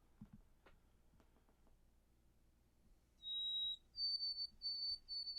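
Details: White-throated sparrow song, remembered as 'oh sweet Canada Canada Canada'. After faint clicks and shuffling, a clear pure whistled note is followed by a slightly higher whistle repeated three times, with the phrase still going as it ends.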